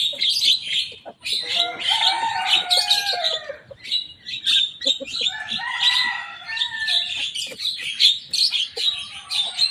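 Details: Young Javan myna singing actively and imitating rival birds, with repeated phrases of harsh, squawky chatter over descending whistled tones, broken by short pauses and sharp clicks throughout.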